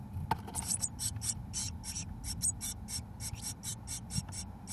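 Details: Eurasian blue tit (Cyanistes caeruleus) nestlings, 17 days old, beg in a nestbox as both parents feed them mealworms: a rapid run of high, hissing calls, about four a second, over a low rumbling background.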